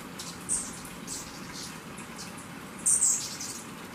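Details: Golden-tailed sapphire at Waqanki Lodge, Moyobamba, giving thin, very high squeaky chips, two sharper ones a couple of seconds apart among fainter high notes, over a steady background hiss.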